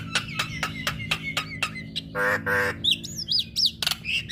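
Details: Female Javan myna song used to make listening mynas respond: a fast series of sharp clicks about four per second, then two harsh nasal rasps and looping high whistles.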